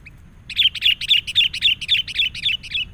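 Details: Wild sooty-headed bulbul, agitated and reacting to a lure bird, delivers a steady run of about ten sharp, even chirps at a fast regular pace over low background rumble.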